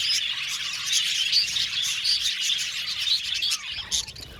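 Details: Budgerigar flock in an aviary giving a busy, overlapping chorus of high chirps and warbled squeaks, continuous for about three and a half seconds before thinning into a few scattered notes.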